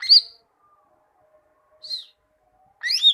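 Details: On a tutor recording for training leafbirds, a greater green leafbird gives three separate notes about a second apart: a strong high downslurred whistle, a softer similar whistle, and a loud warbled double note.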